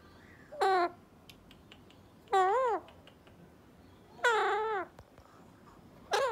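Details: Male pet Alexandrine parrot singing and talking indoors: four softer, wavering, voice-like drawn-out notes that rise and fall, each about half a second long, spaced one to two seconds apart over low room noise.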